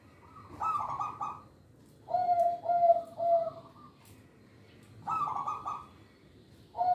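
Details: A local zebra dove sings to lure young birds: a bright rolling note, then a pause, a run of three low, soft coos, another pause, and another bright rolling phrase before a final coo.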